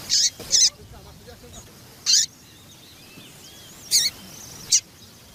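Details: Female double-collared seedeater calling to stimulate the male to sing: five short, sharp, high chips at irregular intervals, two close together at the start, then single notes spaced one to two seconds apart, over a faint background of distant chirps.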